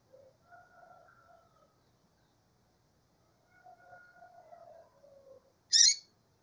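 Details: A female double-collared seedeater gives one loud, rasping high chirp near the end. Before it come soft, low, drawn-out whistled tones in two separate stretches.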